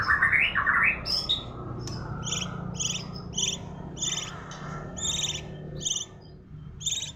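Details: Magpie-robin singing in a style called suara kuntilanak (ghost voice): a brief rising whistled flourish, then a steady series of short, buzzy, doubled high notes repeated about twice a second over low background rumble.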